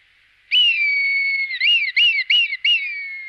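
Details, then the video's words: A red kite recorded in La Moraña and Tierra de Arévalo whistles a long level note. Four clipped, warbling up-and-down notes follow, and the call ends in a trailing, slightly falling whistle. "milano real"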